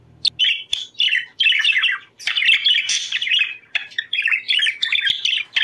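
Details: Budgerigars singing to stimulate breeding: a continuous, lively warble of chatter, squeaks and buzzy notes with rapid pitch wobbles, scarcely pausing.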